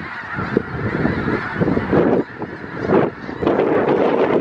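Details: A huge winter flock of about 5000 snow geese, south Grayson County, Texas, in February 2018, producing a thick wall of clamorous honking that surges and briefly dips before swelling again.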